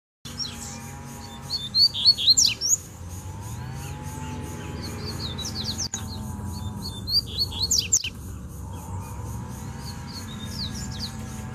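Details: Wild double-collared seedeater in the bush, singing to challenge a rival over territory: two bursts of rapid, high, twisting chirped notes, separated by quiet, over a steady pulsing buzz and a low background hum.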